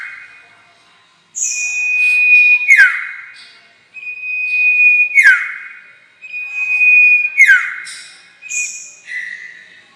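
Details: Lure call of the sirtu for trapping: a long flat whistle breaks into a quick falling slur with a click, repeated about every two and a half seconds, with buzzy high notes mixed in.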